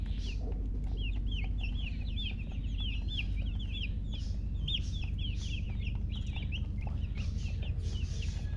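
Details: Newly hatched chicken chicks peeping loudly: a dense, steady stream of short, high, down-slurred chirps overlapping throughout, several calls per second, over a constant low droning hum.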